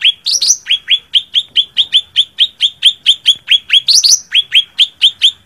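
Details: Cak ranting calling to challenge a rival, giving a long series of sharp, clipped upslurred chirps, roughly two to three per second, broken by two louder, higher double notes.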